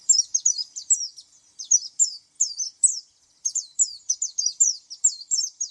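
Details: Oriental white-eye singing a fast series of high, slurred tweets in short bursts, with a brief gap near the middle before the twittering resumes.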